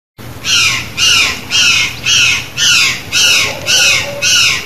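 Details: Curl-crested jay, Brazilian fauna, singing free in the wild: seven harsh, rasping, cawing notes in an even series, about two per second, with quiet low background noise.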